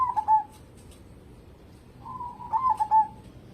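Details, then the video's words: Zebra dove, local stock, a lively singer kept as a lure: one rolling coo phrase at the start and another after a soft rising lead-in, each stuttering into a sustained ending. "burung perkutut lokal gacor cocok buat pancingan"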